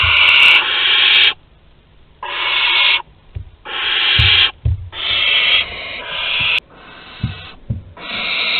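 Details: At Théding, France, on 23 August 2020, a grown barn owl hands prey to a younger owl; long rasping hiss-screeches, some over a second, come in close succession, with soft knocks and shuffling in the pauses.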